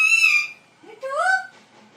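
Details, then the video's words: Talking parrot imitating a dog: a loud harsh harmonic syllable, a brief pause, then a rising two-part voice-like utterance that fades, indoors with little background noise. "Parrot Talking Mitthoo Mitthoo and Doing funny sounds like dog."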